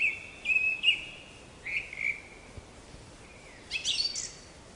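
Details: Black-capped chickadee giving flat, slightly buzzy notes held steady at mid-high pitch, two short groups, then a burst of higher, sharper notes near the end over a soft, steady background hiss.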